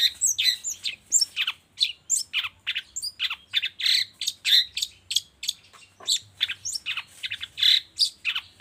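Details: Continuous rapid chatter of harsh, scratchy notes and high squeaks from a long-tailed shrike, a morning lure recording meant to prompt reluctant shrikes to sing, with barely a pause throughout.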